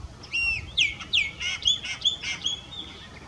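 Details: Chopi blackbird singing at Candiota, Rio Grande do Sul, Brazil: a lively series of clear, liquid whistles, some sharply falling and others slurred, mixed with short buzzy notes, about a dozen phrases in quick succession.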